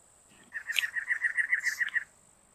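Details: Cactus wren giving a harsh, rasping series of about twelve rapid chugging notes lasting a second and a half, evenly spaced, with a steady high hiss in the background.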